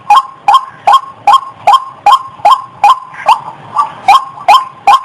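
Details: Female white-breasted waterhen about to mate, sounding repeated hoarse, upward-inflected croaks about every 0.4 seconds, with a slight stumble and a softer note midway through the series.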